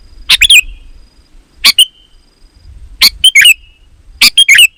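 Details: Sooty-headed bulbul singing vigorously, used as a lure to draw other bulbuls: four short, bubbly, bright phrases, each two or three quick notes ending in a falling whistle, given about every 1.3 seconds, with faint low rumble between.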